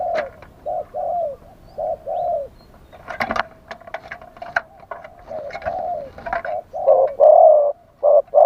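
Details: Decoy spotted dove calling live to lure wild birds, wild-style song: repeated soft low coos, short then longer and falling, growing louder toward the end, with sharp clicking and tapping noises in between.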